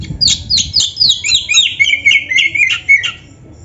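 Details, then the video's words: Energetic Oriental magpie-robin song meant to provoke idle caged birds: fast, varied whistles and scratchy squawking notes delivered about four per second, sliding downward through the phrase before a short trailing pause. "TERAPI KACER GACOR DONGKRAK BIRAHI DAN EMOSI BUAT KACER MALAS BUNYI"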